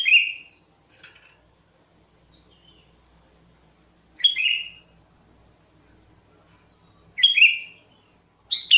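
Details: Sooty-headed bulbul singing as a trapping lure: loud whistled phrases dropping from high to a lower tone near four and seven seconds, with a fainter chirp between, quiet background.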